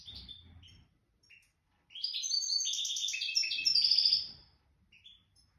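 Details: A nest-raised goldfinch sings widani style, jadr al-salaka line: soft chirps, then a loud two-second outpouring of fast bubbling twitters ending in a high ringing trill, with faint low room noise.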